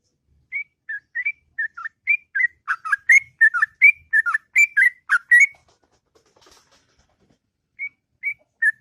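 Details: In the morning, a sooty-headed bulbul sings a long, sweet ngropel song: soft whistled notes quicken into a loud bubbly rush, fall silent for two seconds, then resume softly.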